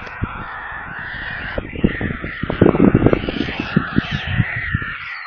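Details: White stork chicks begging in their nest near Kaluga in central Russia, heard on a live stream. A continuous hoarse, wheezing scream runs throughout, mixed with dense low knocking and thudding.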